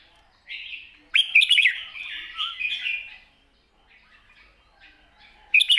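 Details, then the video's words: Long wild-style song of a red-whiskered bulbul with 'rik' notes: a bright rolling phrase of quick chirps and slurred whistles lasting about two seconds, a pause, then a sharp chirp at the close. "เพลงยาว ปากเบา ร้อง+ริก /สำนวนป่าๆ #นกกรงหัวจุก"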